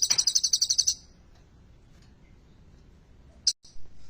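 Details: Olive-backed sunbird (kolibri ninja) with a song featuring bar-winged prinia (ciblek) material, used to get silent sunbirds singing: one fast, high-pitched trill lasting about a second, followed by near silence and a brief sharp note.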